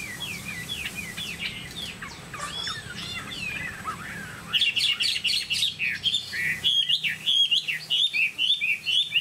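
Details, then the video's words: Caged Chinese hwamei, described as a 99% pure bird with a tall stance, sings varied whistled phrases: softer slurred notes at first, then a loud burst of rapid, rising and falling whistles from about halfway through. "Hoạt Họa Mi"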